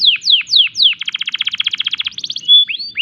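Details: Canary in breeding condition sings four loud falling whistles, then a rapid rhythmic trill of evenly spaced notes, ending with a short steady tone and rising slurs.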